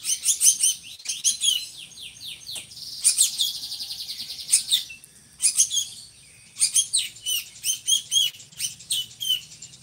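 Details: Drongo song, used as a master bird for tutoring other songbirds, described as harsh and monotonous: dense bursts of sharp chirps and rapid buzzy trills high in pitch, with brief pauses between phrases.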